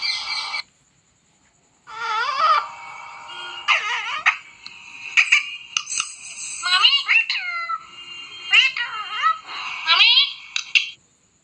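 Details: Pet talking parrot indoors imitating human words: a string of raspy, wavering speech-like phrases and squawks with sliding pitch, closely packed after a brief opening burst and a pause.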